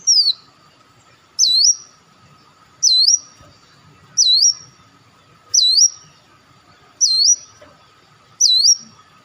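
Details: Olive-backed sunbird lure call: one high, clear whistle swooping down and back up, repeated steadily about every one and a half seconds, seven times, over a faint continuous hum.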